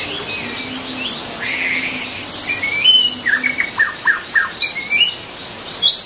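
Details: Rich song of a wild white-rumped shama: soft warbled whistles, then four loud sharp descending notes in quick succession, over steady insect noise and a low distant hum.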